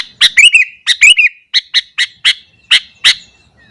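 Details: Morning song of a sooty-headed bulbul, sung to provoke rival bulbuls: quick runs of bright, liquid chirps, the first phrases bubbling and tumbling, then a string of evenly spaced single notes.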